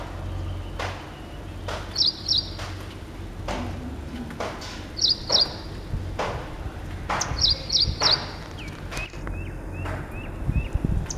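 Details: Ashy prinia (Ashy Wren-Warbler) uttering short high notes in pairs and a triplet, separated by several seconds, amid loud knocking and clattering noises with some faint chirps near the end.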